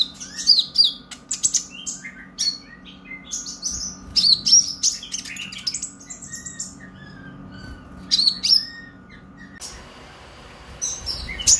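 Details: Purple-throated sunbird, a young caged bird with a brown breast learning its song, played to prompt others to sing: repeated bursts of high sliding whistles and twitters separated by short pauses, fading near the end.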